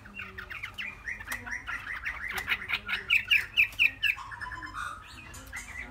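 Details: Caged Chinese hwamei, aged three months, singing a hurried series of chattering notes that builds into evenly spaced sharp chips, about three per second, then trails off into a soft trill.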